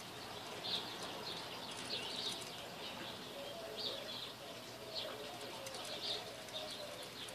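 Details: A pet female parakeet engaged with a new toy indoors chatters softly, with squeaky notes standing out roughly every second amid continuous faint warbling and a quiet room hum.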